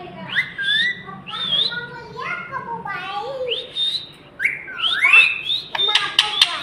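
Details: Ring-necked parakeet talking, a stream of whistled speech-like syllables that swoop up and down, with short pauses and a harsher burst near the end.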